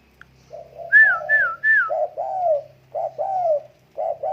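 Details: A tame spotted dove gives soft, throaty coo phrases, each short note followed by a longer falling coo, preceded by three higher arched whistles; a faint low hum underneath.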